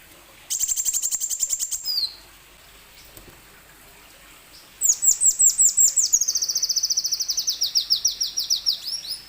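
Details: Plain sunbird singing, a recording meant to coax other plain sunbirds into song: a fast high buzzy trill, then after a pause a long run of rapid, very high, sharply falling notes.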